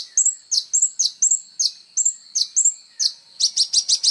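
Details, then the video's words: High song of a kolibri ninja sunbird, recorded as training material for songbirds: paired downslurred chirps with thin whistles, repeated about every half second, ending in a faster burst of sharp notes. "SUARA BURUNG KOLIBRI NINJA GACOR"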